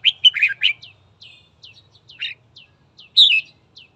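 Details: Red-whiskered bulbul in morning song for stirring up fighting: a quick warbled phrase of bright whistles, then a series of thin, downslurred chirps roughly every quarter second, and a final loud warbled burst.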